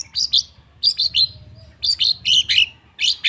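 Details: ['Long-tailed shrike song, played to provoke a silent shrike to sing: short clusters of two or three piercing, high downslurred notes separated by brief gaps, over low background rumble.']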